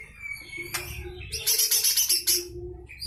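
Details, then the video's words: Harsh 'besetan kasar' song of a lesser green leafbird, meant for tutoring magpie-robins and shamas: a thin whistle, a sharp click, then a loud buzzy rattle of rapid pulses, ending in a short whistled note. "Full besetan kasar suara cucak hijau mini"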